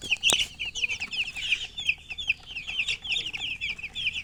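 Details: A brood of chicken chicks peeps loudly and incessantly, shrill downslurred chirps packed tightly together after a sharp click at the start.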